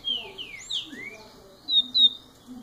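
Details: Young double-collared seedeater, first year of life, singing spaced whistled notes: a few descending slurs, a pause, then two thin, high, level whistles.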